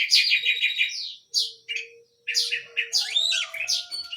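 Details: Small canary singing in lively full voice; rapid rolling trill, then varied chirps, whistles and sweeping notes after a brief pause, with a faint low steady tone underneath.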